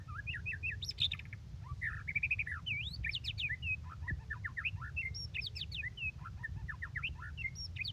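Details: Long, busy song of a white-rumped shama, a steady stream of varied whistled and chattering phrases with rapid rising and falling notes, over a constant low hum.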